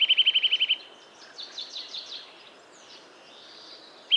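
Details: Eurasian nuthatch in a yard at Joroinen, Finland: a short, rapid trill of clear repeated notes opens, followed by softer, higher chirps from other birds, with a new trill starting at the end.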